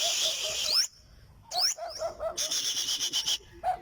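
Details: Olive-backed sunbird with high, swept notes and brief pauses, ending in a fast run of buzzy, repeated pulses.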